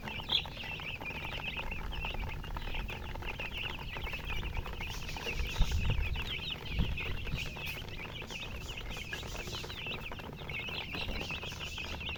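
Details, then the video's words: A flock of baby chickens chirping: a busy stream of high, quick cheeps from several chicks at once, over a low rumbling thump and handling noise around the middle. "MURGI Baby "Chicks Chirping""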